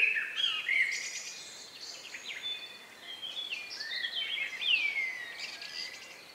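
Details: Among the last birds singing in the countryside just before night, recorded on May 2, 2020 around 9 p.m.: soft overlapping chirps and trills with a clear downward-sweeping whistle near the end, set against quiet hiss.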